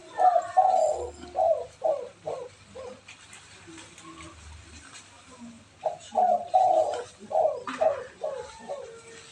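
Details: "Kuk 4" style cooing of a spotted dove, a training recording for other doves: two phrases of deep, repeated coo notes, the first louder, split by a quiet stretch with a low hum underneath.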